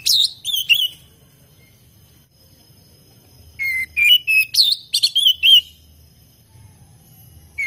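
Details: Oriental magpie-robin, a kept kacer in lively gacor song: short bursts of bright whistles and sharp chips separated by quiet gaps, ending on a fresh whistled note.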